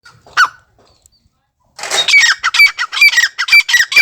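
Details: Francolin calling: one short harsh note, a pause, then a rapid series of loud grating notes with bright whistled overtones, repeated about twice a second.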